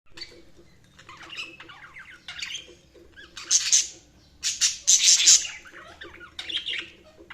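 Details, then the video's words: Budgerigars chirping in a series of bright, buzzy warbles and squawky notes, loud bursts at intervals between quieter chatter. "Budgies Sounds| Budgies Chirping sound"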